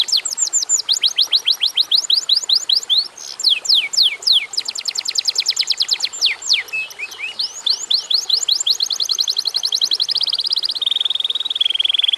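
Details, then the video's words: Canary in full, busy song meant to provoke other canaries into singing: rapid series of steep falling sweeps and fast high rattles, changing phrase every second or two, ending in a level buzzy trill. "kenari gacor durasi pendek cocok buat pancingan kenarimana pun lansung Yau gacor"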